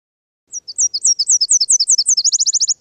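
Nashville Warbler song: a string of high, sharp two-note whistles, about eight in under two seconds, ending in a fast, dry trill.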